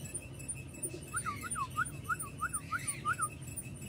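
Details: Aviary-kept young male parblue opaline lovebirds call in evenly spaced arched chirps, about three per second, over continuous low-pitched hum and faint high twitter.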